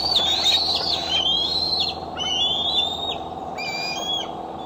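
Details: Eagle nest camera in Decorah, July 4, 2011, 8:39 pm, as an eaglet with a sore foot returns home; piercing, whistled chatter sliding upward, several overlapping notes, steady background drone.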